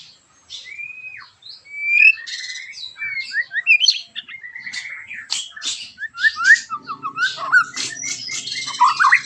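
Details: Captive white-rumped shama giving a sharp, harsh song, used to spur other shamas to sing. It is a long, varied stream of whistles, quick trills and buzzy, scratchy notes, with low rumbling noise late in the phrase.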